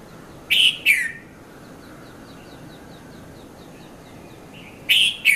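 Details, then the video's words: Red-vented bulbul, locally called Konda Kurulla, at Mount Lavinia, Sri Lanka, between 5:30 and 5:40 a.m., recorded on a Nikon Coolpix P510: two loud two-note chirps, the second note sliding downward, seconds apart, with faint regular ticking calls of other birds behind. "Red-vented Bulbul Bird Voice | Sounds of Bulbul"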